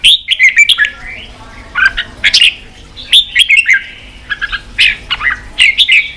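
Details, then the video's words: Song of a red-whiskered bulbul, used to fire up other bulbuls for fighting: clear warbling whistles with quick up-and-down slurs, delivered in choppy clusters with short gaps, a few harsher notes mixed in. "Kích chào mào bổi đấu, luyện chào mào sổ giọng, kích chào mào căng lửa"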